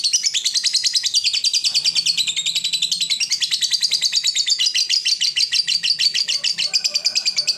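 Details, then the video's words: Fighter lovebird in full ngekek, a long trill said to push rival birds into song: sustained rapid chattering of high, buzzy chirp pulses for over seven seconds, evenly paced and barely pausing, with faint low noise beneath. "Lovebird Fighter ngetik ngekek panjang - Bikin musuh ikut bunyi"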